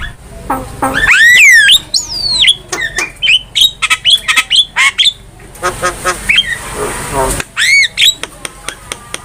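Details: A lively Javan myna in full song for a cage-bird training master: a loud looping whistle opens a fast series of short squawks and whistles, broken in the middle by a long rasping screech.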